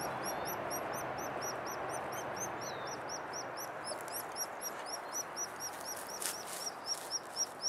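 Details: A white-headed woodpecker chick at a nest at park headquarters, while its mother hunts for food, gives thin, high chirps, about four a second in a steady stream, over a constant soft hiss.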